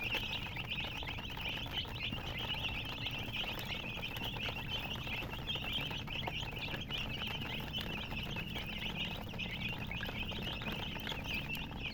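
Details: A group of baby chicks peeping nonstop, the thin high notes blending into an unbroken chorus at an even level, with low hum underneath.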